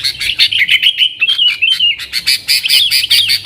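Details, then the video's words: Yellow-vented bulbul 'nggaruda' song used to call in wild sooty-headed bulbuls: rapid sequence of clear chirps and slurred warbling notes, loud and continuous throughout. "TRUCUKAN GACOR Nggaruda Super Ampuh Untuk Suara Panggilan Burung Kutilang Liar"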